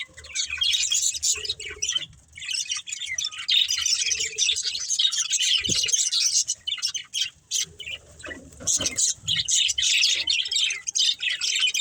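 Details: Pet budgerigars playing and eating give bursts of high, fast chirping and squawking chatter, with short pauses and a few soft low knocks between bursts.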